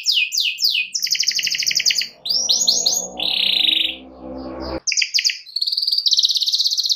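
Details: Singing canary baiting a rival to sing along: quick repeated sweeps, dense buzzy trills and a steady held note, with low background noise under the middle section before the rapid trilling resumes.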